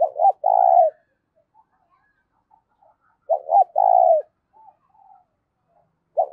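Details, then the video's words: Spotted dove cooing loudly and clearly, used to stir up decoy doves: low phrases of two quick notes and a held coo repeat about three seconds apart, with faint soft bird notes in the gaps. "tiếng cu gáy kích bổi mỗi ngày giọng to rõ ít tạp âm"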